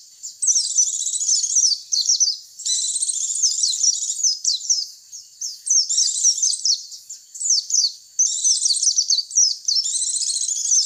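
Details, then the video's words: Lure call meant to attract white-eyes: repeated bursts of rapid, very high twittering and sharp chirps separated by brief pauses, sustained over about eleven seconds, clean. "Suara pikat pleci"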